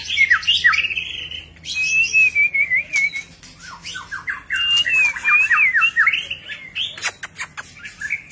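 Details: White-rumped shama singing during display, with many varied notes: clear whistled phrases sliding up and down, rapid chattering runs, and short pauses between bursts. A faint low hum sits underneath.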